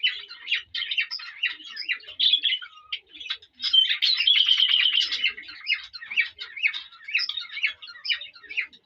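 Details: Male cockatiel courting a hen with song and whistles: rapid repeated high chirps, one drawn-out lower whistle near three seconds, and a loud burst of dense chattering midway.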